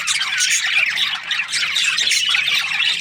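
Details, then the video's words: Budgerigars kept as breeding pairs chirp busily, quick squawky notes tumbling over one another about four per second, loud and unbroken throughout. "Budgies parrot chirping sounds"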